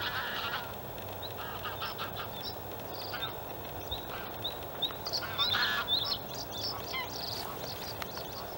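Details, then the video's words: White-spotted bluethroat male at a reedy Halmstad harbour fill, Sweden, May 2017: thin high whistled notes and short trills repeated quickly, fainter and partly buried in broad background noise, with a louder burst of song near the end. "Blåhake/Luscinia svecica cyanecula/Bluethroat"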